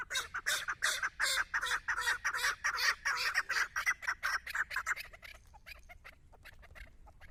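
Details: Hunting decoy chukar partridge calling in front of a female partridge: a rhythmic run of harsh, chucking notes repeated about three times a second for five seconds, then fading into faint scattered clicks.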